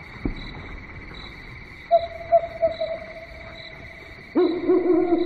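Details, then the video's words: At night an owl utters a few short repeated notes against a noisy background with a steady high hum. These end in an abrupt lower, rasping hoot. "SUARA BURUNG HANTU MALAM HARI"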